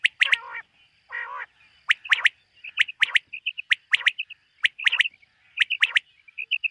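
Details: Summer-meadow morning with a common quail repeating short, sharp two- and three-note phrases about once a second, with soft trilled notes in between and a brief buzzy burst near the start.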